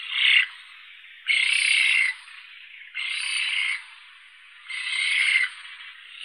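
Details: Eurasian spoonbill giving rasping, breathy hissed calls in long wheezing bouts of under a second each, spaced by short pauses in a steady rhythm, with nothing else clearly heard.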